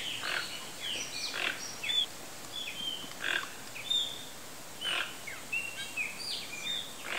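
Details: Toco toucan in the wild uttering rough, croaky grunts in quick pairs and bursts, roughly one each second, while other birds add high, sliding whistles behind a constant hiss.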